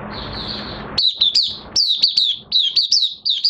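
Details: Oriental white-eye in minor moult: after a soft, hissy start, a quick series of loud, high, down-slurred chirps in small clusters, repeated at an irregular pace.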